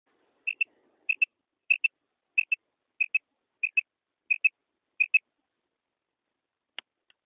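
Female common quail giving eight soft, high double notes, 'kruk-kruk', about every two-thirds of a second, followed by a single sharp click.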